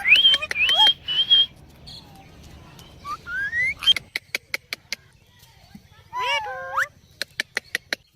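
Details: Ringneck parrots: a mix of clear rising whistles and sliding notes, a short burst of layered squawks, and sharp clicks repeated about twice a second.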